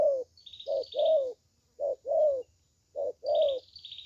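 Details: Low cooing of a spotted dove called a good-voiced 'thổ tơ': three phrases, each a short coo then a longer slurred, slightly falling note, with soft high twitters from other birds.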